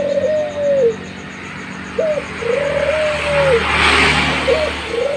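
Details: Active young Barbary dove repeating its phrase: a long, mellow coo that sags at the end, then a brief upturned note. The pattern repeats three times over light background traffic hiss.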